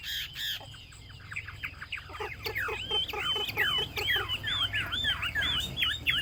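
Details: Chinese hwamei song that begins in a noisy stretch, then builds into bright, swooping whistled notes repeated rapidly over a series of lower, evenly spaced clucking notes.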